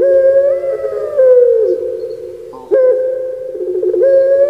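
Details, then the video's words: Puter pelung turtle dove, kept in Java, Indonesia: two drawn-out, resonant coos, each held level then gliding lower, separated by a short break and a quick rising note. "Puter Pulung Suara Gemanya Bikin Lupa Diri"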